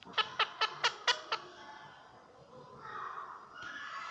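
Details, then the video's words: Pet parrot indoors trying to repeat its owner's words: six quick, harsh, harmonic syllables at even pace over about a second, then a softer, lower drawn-out voiced sound in a small room. "Parrot Trying To Repeat My Words"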